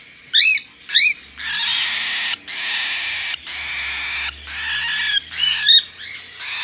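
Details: Hand-tame white-face pearl cockatiel chick, recorded 31 May 2022; two sharp rising squeaky chirps, then long harsh, raspy hissing calls separated by short pauses, ending with more squeaks, indoors and close.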